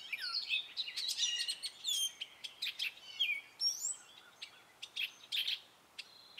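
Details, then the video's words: Singing male Gray Catbird in spring, giving a varied run of short notes, some mimicked: rising and falling whistles, sharp clicks and squeaky chips separated by brief gaps, fairly close and clear. "Gray Catbird singing his spring song!"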